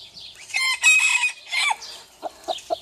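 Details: Rooster crowing: a loud, harsh, drawn-out cock-a-doodle-doo in several rising and falling syllables over about a second and a half, followed by three short, low clucks.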